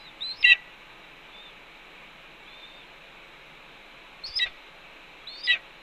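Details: At a Cornell nest on a May 2013 afternoon, a red-tailed hawk vocalizes as its mate, having brought voles, feeds on a pigeon nearby; three sharp, down-slurred chirps, one near the start and two close together at the end, separated by quiet.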